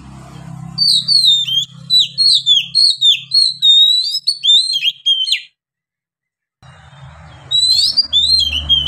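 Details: Oriental magpie-robin singing long gacor ngeplong song in Indonesia: quick repeated high whistles and downward slurs, roughly three per second, over steady low hum, a short silent break, then more whistling.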